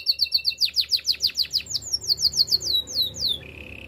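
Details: Training-song canary delivering quick chains of rising, chirping syllables at about three per second, shifting into higher swooping notes and ending on a low, even, sustained trill.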